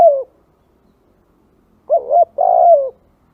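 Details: Spotted dove coo for luring: the tail of one falling note at the start, then after a pause a full phrase of a short wavering coo and a longer drawn-out croo.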